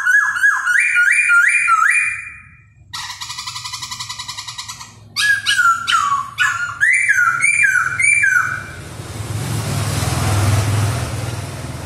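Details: Singing and dancing laughingthrush gives quick rising whistles, a dense buzzy rattle, then more whistled slurs, before the song gives way to rustling noise.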